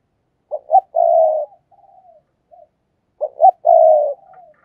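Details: Spotted dove used as a decoy, caged, repeating its calling phrase twice: clipped note, upturned coo, then a drawn-out throaty croon, with faint soft trailing notes in between.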